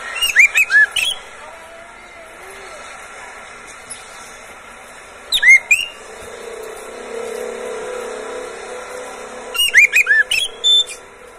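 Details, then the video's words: Oriental magpie-robin kept in a cage, singing to encourage other birds: three short bursts of sharp whistled and chattering notes separated by pauses of several seconds, over a low background rumble. "SUARA BURUNG KACER, cocok buat pancingan Kacer pagi, siang, sore"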